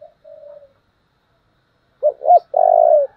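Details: A faint, soft coo, then a full 'Thúc' phrase from a spotted dove in the strained 'thổ' voice, a model for decoy birds: two short rising hoots and a sustained, trembling coo.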